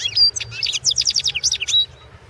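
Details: European goldfinch recorded for the 2016 world championship of goldfinch song; a rapid run of high, liquid twittering notes with buzzy trills, ending in a thin whistled note over faint low hum.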